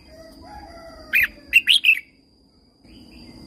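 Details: Thai red-whiskered bulbul song for stimulating caged birds: one quick, chirpy three-part phrase, preceded by a softer low whistle, against light background hiss.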